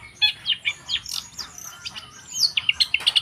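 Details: Long-tailed shrike singing in the wild: a rapid, varied string of high chirps, short slurred whistles and scratchy notes, about four per second, ending in brighter sharp notes.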